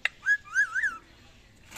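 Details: Pet parrot at home while a person coaxes it in Hindi to eat: three clear whistled notes, rising and falling, followed by soft noise.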